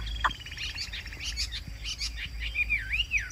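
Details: Chinese hwamei, a kept cage songbird singing well: a busy jumble of fast chattering notes, ending in a rich warbled whistle that swoops up and down twice.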